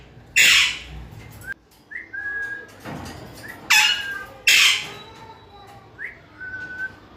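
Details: Harsh broadband squawks from a pet parrot, three in all, interspersed with short rising and flat whistled notes and soft clicks.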